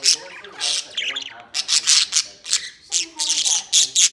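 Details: White pet budgerigar playing outside its cage, giving a busy series of harsh squawks and chattering chirps, bursts every half second or so with brief gaps.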